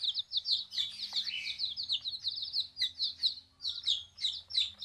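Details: Freshly arrived young chicks kept in a backyard, giving a continuous chorus of high, thin peeps with a low steady hum underneath.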